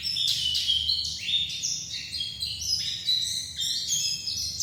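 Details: White-eye of the dakun type from Bali singing a rapid, continuous high warble of quick slurred and stepped notes that jump between pitches, with no pauses and little else audible.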